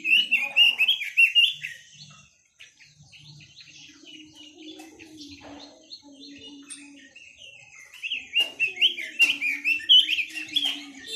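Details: Chinese hwamei song in two bursts: loud rapid whistled warbling at the start, a quieter pause with soft lower tones and clicks, then vigorous fluty phrases returning near the end.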